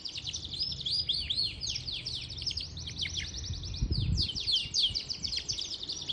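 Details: Singing Yorkshire canary in Parachinar delivers bright, high, rapidly repeated swooping notes in quick trilled bursts, with a low background rumble and a brief thump near the middle.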